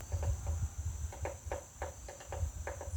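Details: Woodpecker striking a butterfly house with about a dozen crisp, hollow knocks in three seconds, unevenly spaced, over a low background rumble and a steady high whine.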